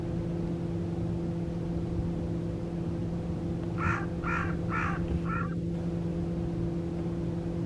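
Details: Carrion crow escaped from captivity, with a torn string on one leg and unafraid of people, at Guia in Cascais, Portugal, giving four hoarse, evenly spaced caws over constant low traffic hum.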